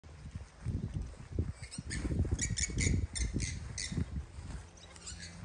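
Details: Cockatoos at Rossdale golf course give harsh, raspy screeches in short broken bursts through the middle of the clip, over heavy low wind rumble.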